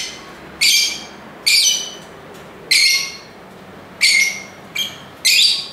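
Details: Sharp, strident lovebird squawks, each a brief harsh burst, spaced about a second apart against a quiet background.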